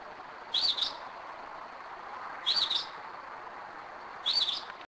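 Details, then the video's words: Night song of a Northern mockingbird recorded at 2am in Kennesaw, Georgia: three short warbled high phrases, each about two seconds apart, over steady low background noise. "Mockingbird 2am"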